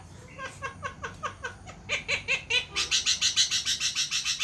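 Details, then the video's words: Javan myna in lively voice, giving its laugh-like call: a rapid run of harsh, harmonic pulses about five per second, growing louder and brighter midway and continuing as an even, chuckling series. "burung jalak kebo gacor bisa ketawa"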